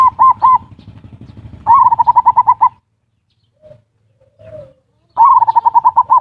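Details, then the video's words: Zebra dove lure recording of ngerot and kuwor style song, played to stimulate breeding urge and lazy birds to sing: three bursts of rapid, rolling pulsed coos, each a quick run of even notes, separated by short quiet gaps. "Suara pancingan perkutut ngerot dan kuwor"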